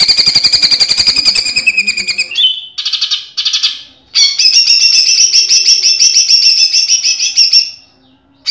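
A greater green leafbird sings loud, rapid, chattering bursts of high trills and buzzy notes, broken by brief pauses, with no other sounds.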